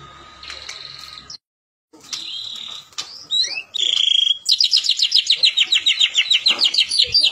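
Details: White-rumped shama lure song for stirring other shamas to sing: scattered whistles and short pauses at first, then a dense, fast series of bright notes repeated several times a second.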